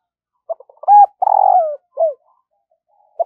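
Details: Spotted dove kept as a decoy and trained daily to sing: a few soft short notes, then a clear coo, a longer rolling purring coo sliding down, and a falling final coo, in a quiet room.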